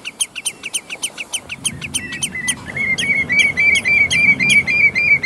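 A common redshank gives rapid, ringing piping notes, repeated several times a second in an insistent series.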